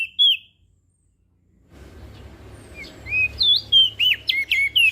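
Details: Singing crested white-eye of Lombok, a training recording for lazy singers: one clear whistled note, then over background hiss a fast sequence of looping, swooping high whistles, several per second.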